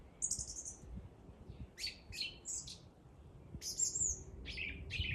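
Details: Singing bird delivering scattered high chirps and short trills, each note brief and sharp, spaced irregularly across the phrase, with soft background hum.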